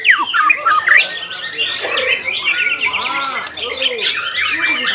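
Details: Song of a white-rumped shama opening with loud downward whistles, followed by a jumble of chatters and soft arched notes repeated low beneath.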